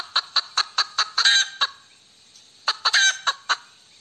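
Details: Hen cackling with evenly spaced quick clucks, about five per second, building to a long rasping squawk, then a pause and a second shorter run ending in a drawn squawk and clucks.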